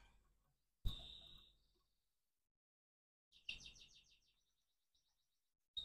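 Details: Hybrid canary in the morning, heard over low background rumble: a brief whistled trill, a long pause, then a rapid rattling series of high notes fading out.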